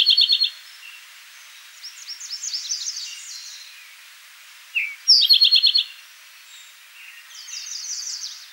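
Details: Eastern towhee at Rondeau Park in June 2013, singing a short introductory note followed by a bright, rapid trill, repeated twice; softer twittering of other birds fills the gaps.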